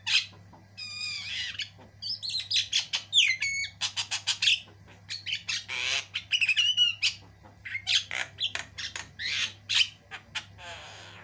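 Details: Javan myna, the white-eyed jalak kebo form, singing in full voice with long varied song as a tutor recording: dense bursts of harsh squawks, chattering notes and clear whistled and harmonic phrases, nearly continuous with brief pauses, over a steady low hum.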